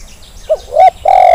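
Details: Zebra dove lure call meant to get reluctant birds calling, a quick note followed by a rising doubled coo and a sustained steady coo cut off at the end.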